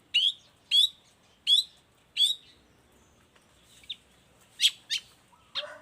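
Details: Long-tailed shrike song, a recording meant to tutor and provoke other shrikes into singing. Four loud, harsh, rising notes come about once every 0.7 seconds, then fainter varied chirps and a lower slurred whistle.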